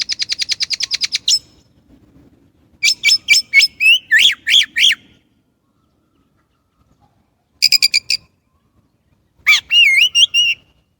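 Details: Chinese blackbird song made of bursts: a fast rattling series of short notes, then varied whistled and chattering phrases, a brief clipped rattle, and a final run of looping whistles, separated by pauses of silence.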